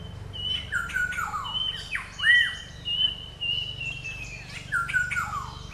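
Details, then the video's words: Black-hooded oriole calling repeatedly: clear fluty whistles that swoop downward, mixed with squawky notes, given in several bursts across about five seconds, over faint low background rumble. "Black hooded oriol bird is calling"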